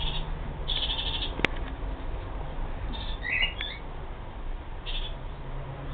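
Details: Kakariki uttering short nasal squawks at intervals, one a brief twisting chatter, with a sharp click early on and a low humming background throughout.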